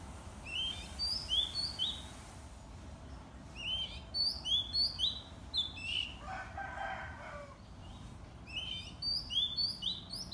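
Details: A White-rumped shama (Copsychus malabaricus) sings in the morning: rich, varied whistled phrases, mostly high and quick, repeated in bursts, with a brief lower warbling note midway and steady background hum.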